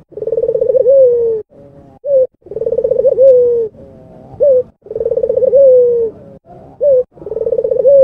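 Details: Persistent cooing from an albino puter dove: rapid pulsed low notes gliding down into a sustained tone, then a short rising coo, repeated about four times in steady rhythm.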